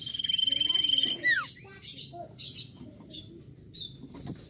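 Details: Vigorous song of a common iora, called cipoh or sirtu, meant to encourage untrained birds to sing: a bright, sustained pulsing trill ending in a quick downward slur, then assorted quieter chirps and clicks.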